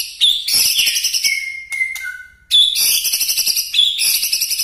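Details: White-rumped shama singing in 'nembak' style: harsh, very high rapid chatter, two long pure whistles at different pitches, then renewed shrill bursts.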